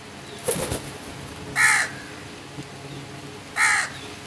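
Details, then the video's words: Crow giving two harsh, hoarse caws about two seconds apart, each short and raspy, after a brief clattering noise near the start; faint chirping of small birds in the background. "Crow birds crowing sounds and loud noise"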